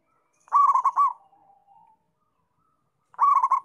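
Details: Local zebra dove, singing actively, delivering a loud phrase of quick bubbling, rolling coos with a soft trailing hum, then a short pause before the next phrase begins.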